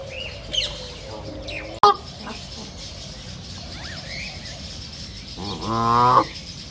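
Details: A duck in a wild reserve setting lets out one drawn-out, nasal, buzzy quack near the end, after a sharp click and scattered high chirps and whistles from other birds.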